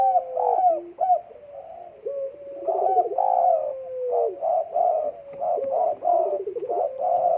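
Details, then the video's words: Spotted dove in breeding condition, 12 December 2022, cooing steadily: soft rolling coos mixed with stuttering, tremulous notes and drawn-out level tones, phrases running almost without break. "EMUSI KUAT BURUNG PUTER DEKUKUR LAGI BIRAHI"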